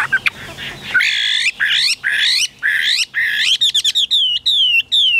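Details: Caged Chinese hwamei starting with harsh, buzzy, rasping notes repeated several times, then switching to a series of clear descending whistles and quick chirps.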